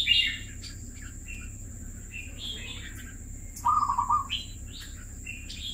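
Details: Red-whiskered bulbul, a caged bird kept two years, gives scattered bright chirps and short whistled phrases, with a clear burst of lower rapid buzzy notes midway, over a constant high-pitched whine and low rumble.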